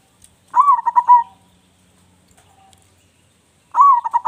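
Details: Zebra dove, local bird with a strong voice, giving two soft cooing phrases about three seconds apart, each a rising opener followed by four or five rapid stuttered notes, in quiet surroundings.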